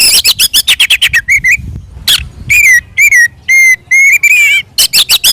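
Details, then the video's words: Oriental magpie-robin in fierce fighting song, known locally as 'ngeplong tarung', used to provoke other magpie-robins into answering. Rapid harsh ticking bursts alternate with loud, clear, slurred whistled notes, some rising, delivered in quick succession. "SUARA BURUNG kacer gacor NGEPLONG TARUNG"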